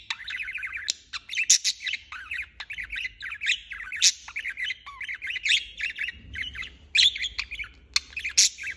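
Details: Budgerigar chirping without pause: dense run of quick warbled chirps and chattering notes, with frequent sharp squawky clicks between them, continuous throughout.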